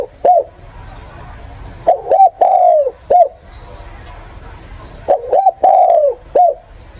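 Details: Spotted dove lure call used as a decoy for bird catching: two low hooting phrases about three seconds apart, each a couple of quick short coos, a long drawn-out falling coo, then one brief closing note, over a faint low hum.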